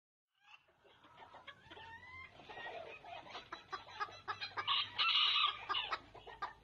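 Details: Rooster crowing amid a busy mix of clucking and scratchy background sounds, the loud drawn-out crow peaking near the end, with repeated sharp clucks throughout.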